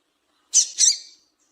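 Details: Female double-collared seedeater giving a call to stimulate singing in males: two quick high, hissy notes run together, the second slightly longer, then silence.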